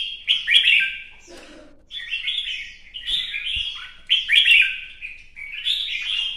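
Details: In its new plumage, a red-whiskered bulbul performs competition song with a fanned dance: loud, bubbling whistled phrases, each about a second long, with a brief low rustle after the first phrase.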